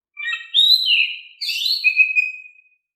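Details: Calm-toned Oriental magpie-robin song meant to lure reluctant birds into replying: two whistled phrases of gliding, warbled notes, the second ending in a long, steady whistle, then silence.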